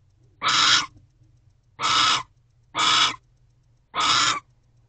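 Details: Barn owl pair in an owl box at 10:59 pm on 1 January 2024, mating after the male's return with another owl nearby; four harsh, broad rasping screeches about a second apart, each roughly half a second long.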